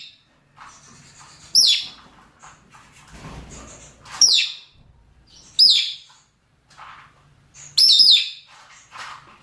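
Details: Mating calls from male and female rosy-faced and Fischer's lovebirds: four shrill, squeaky high notes, each briefly wavering, repeated every two to three seconds over low scratchy chatter.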